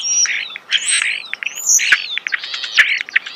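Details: Starling in close-up natural sound: loud jumbled chattering with high thin whistles, grating buzzy notes and a couple of sharp clicks, all delivered without pause.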